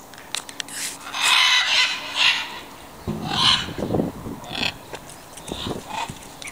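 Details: Macaw at the Welsh Mountain Zoo giving harsh, raspy squawks in four or five loud bursts, each under a second, with a steady low hum underneath.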